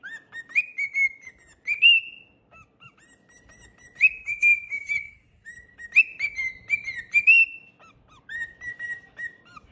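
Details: Pet cockatiel singing repeated whistled phrases, each a quick upward sweep settling into a steady tone, roughly every two seconds, with quiet gaps between.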